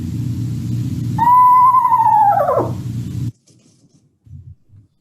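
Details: An Eastern Screech-Owl whinny call, given in the fall and likened to a tiny horse in a tree: a single high, tonal note held steady about two seconds, then quavering and sliding down, over a low background hum.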